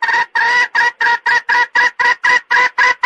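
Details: Red junglefowl calling, used as a lure to trap male birds: loud, harsh clucking notes repeated about four times a second in an even, rapid series, with strong tonal bands and nothing else audible.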